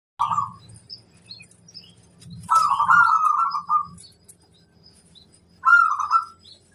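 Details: Local zebra dove (perkutut lokal) in full song, used as a master recording to make other doves answer: mellow, rolling coos in three phrases, one long and trilled, over a low rumbling background.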